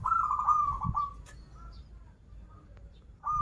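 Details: Local Banten zebra dove singing in 'krital' and 'warung kebek' styles: one long rolling cooed phrase, then a quiet gap and the start of another, over low background hum.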